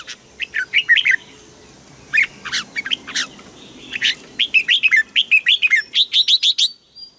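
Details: Bird from Thailand singing: clusters of quick sharp chirps with downward-sliding notes, separated by brief pauses, ending in a fast rhythmic series of high chips.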